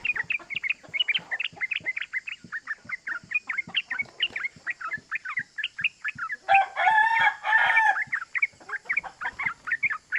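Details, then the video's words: Yellow-vented bulbul used as a lure to set other bulbuls calling: dense, rapid cuk cuk chatter runs throughout, with a rooster crowing loudly for about a second and a half partway through. "Pancingan Trucukan Gacor Ropel Bikin EMOSI❗ Suara Cuk Cuk GAMPANG DITIRU bikin semua trucuk EMOSI"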